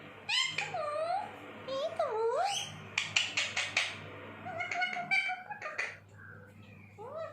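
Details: Talking parrot in a busy run of chattering, speech-like syllables, swooping harmonic squawks and clipped clicks, mixed with human voices repeating playful words.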